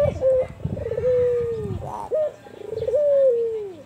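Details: Albino Barbary dove cooing with an emotional, big kuwor style: long smooth sliding coos that hold steady and then fall, broken by a short rougher note, with faint low background rumble.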